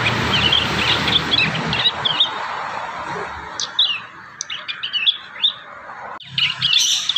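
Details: Young prinias in the wild learning to sing, giving quick high twittering chirps in loose bursts, then scattered sharp upslurred notes, with a brief low rumble and a burst of chatter at the end.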